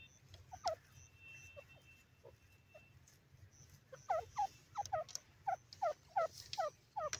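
Francolin giving quick, harsh notes that sweep sharply downward, faint at first, then a loud burst of about a dozen repeated calls, with some light chirps behind.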